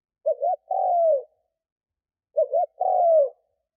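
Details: Spotted dove decoy cooing to lure wild doves: two matching phrases about two seconds apart, each a quick wavering double note leading into a long, smooth coo that drops in pitch.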